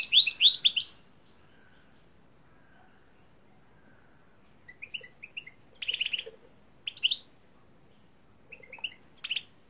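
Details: European greenfinch song: an opening burst of fast twittering trills, a long quiet gap, then short scattered chirps and buzzy twitters near the end.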